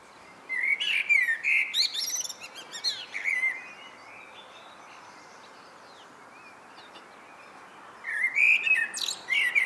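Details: Common blackbird in evening song. Two fluted, warbling phrases are divided by about four seconds of silence, and each phrase ends in a squeaky high flourish.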